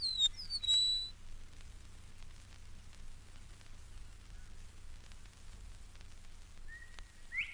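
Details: A male Eastern Meadowlark living on the grassy fringes of the Mountain Lake Sanctuary in Florida, its far-reaching call carrying across his broad territory: clear, high, slurred whistles at the start, then a quieter whistle near the end over faint background hiss.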